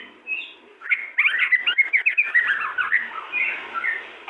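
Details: White-rumped shama pair in active song, a fast jumble of sharp whistles, rolling chatter and quick slurred notes bursting out after a soft start, then easing into mellower warbled phrases.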